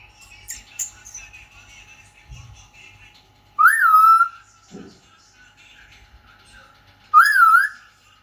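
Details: Two separate rising, wavering whistles from an Indian ringneck parrot, a few seconds apart, over a soft indoor background of faint voices and a steady low hum.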